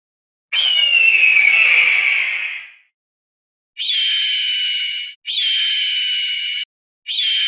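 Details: A hawk, identified as a northern goshawk (jastrząb), gives a long, harsh, slightly falling scream, then three shorter, grating, high-pitched calls in quick succession.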